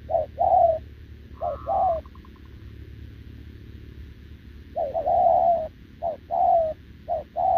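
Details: Caged, wild-caught spotted dove answering a decoy with low cooing: a few paired coos and a higher trilled note, then a quiet gap of about two seconds before another busy burst of short and long coos.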